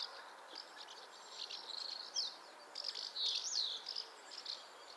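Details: Scratchy house martin twittering that builds in the middle into a run of slurred, swooping chirps before fading to a few scattered notes.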